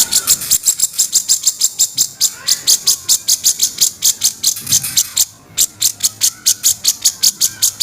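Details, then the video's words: Master training recording of grey-cheeked bulbul harsh kasaran notes: fast, buzzy, grating pulses at about four per second, with one short gap before the rattling series resumes. "jenggot si raja masteran suara kristal dan kasaran"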